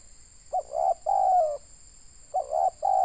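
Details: Indonesian spotted dove, a local decoy bird for trapping, uttering a loud coo phrase of a short note, a swelling note and a long descending coo, then the next phrase beginning, over a steady high hum.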